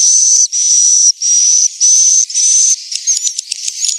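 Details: Swiftlet roosting lure for young and adult birds: five even, hissing buzz notes with a clear steady whistle, each about half a second, followed by softer, uneven chirping twitters.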